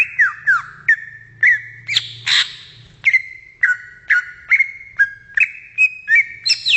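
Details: Wild greater green leafbird song of bright whistled notes, mostly level or dipping slightly, delivered in a steady series about every half second, with one harsher burst early on and higher notes at the end.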